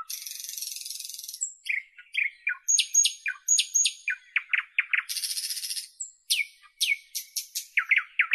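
A nightingale sings a rich, varied song: harsh buzzy bursts, clear whistled notes and rapid repeated chirps and rattles, phrase after phrase with short pauses.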